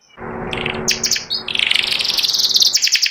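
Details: White panda canary with symmetrical markings, kept caged and ready for contest hanging, sings in the rapid ngeriwik style: after a faint low hum, fast high chirps lead into a dense, buzzy trill that climbs and holds steady.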